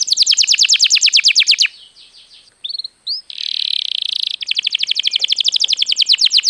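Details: ['Canary song used as a lure for other birds: a rapid buzzy trill, a pause with a few short whistles and a hissing burst, then the fast rolling trill resumes.']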